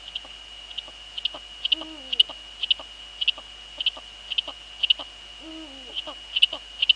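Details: Eurasian eagle-owls in the Netherlands, female at the nest with the male nearby, 2 February 2013 at 19:15 in the evening: two low, drawn-out notes that bend downward, under a steady high electronic whine and frequent sharp clicks.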